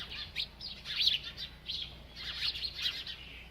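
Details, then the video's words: Short sequence of high, thin chirps from a bird at its food, quick falling notes grouped in small bursts about every half second. "This Happy Bird Won’t Stop Eating and Chirping"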